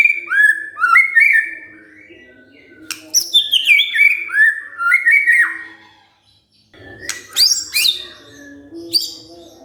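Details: Stirred-up white-rumped shama sings varied whistled phrases with sharp clicks and brief pauses, answering gacor after provocation.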